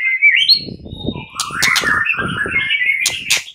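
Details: Several caged fighter white-rumped shama males answering one another and getting agitated; varied whistled and chattering phrases around mid-high pitch, overlapping notes, with low clattering knocks beneath.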